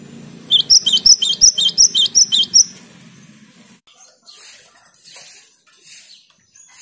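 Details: Vigorous cinereous tit song meant to prompt silent tits into singing: six or seven bright, high, repeated chirped notes in quick even rhythm, over a low background hum, followed by faint rustling noises.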